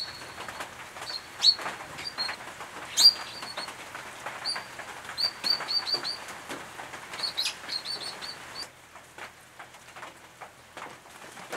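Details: At a nest box on restored farmland in the Capertee Valley, New South Wales, late August 2018, brown treecreepers of the eastern subspecies give bright, high notes in irregular bursts for about eight seconds, then quieter background.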